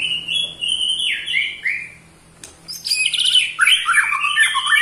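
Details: White-rumped shama, eight months old, singing ketrekan that stirs up other shamas: clear level and dropping whistles, a short pause, then a loud fast rattling trill of stacked descending notes.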